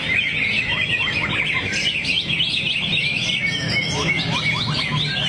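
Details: Singing greater green leafbird (cucak hijau), a kept bird, reeling off song material while swaying: a rapid string of sharp, high chips and slurred whistles, densely packed and steady throughout.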